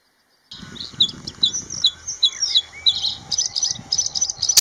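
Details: A Bluethroat in the Netherlands sings in spring in damp, marshy habitat, where males sing to attract females. The song is a quick run of high, ringing notes with short buzzy trills and clicks, phrases repeated about every half second, ending in a faster metallic jingle.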